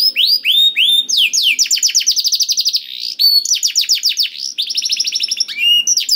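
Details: Canary singing, played to coax a reluctant canary into song: sweeping whistles followed by long fast trills of repeated downslurred notes, about four per second, shifting between phrases without pause.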